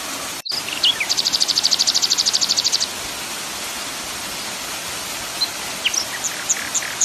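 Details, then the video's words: Common nightingale song mixed with waterfall sound as training audio for cage birds: a rapid, even series of about twenty high, sharp repeated notes lasting under two seconds, then scattered short chirps, over a constant rushing waterfall hiss. "kompilasi suara air terjun common nightiangle"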